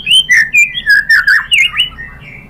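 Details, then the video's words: White-rumped shama song to make other shamas answer: loud rolling whistled notes in quick succession, about seven phrases, trailing off into softer whistles. "pancingan MURAI BATU bikin EMOSI NYAUT jadi GACOR"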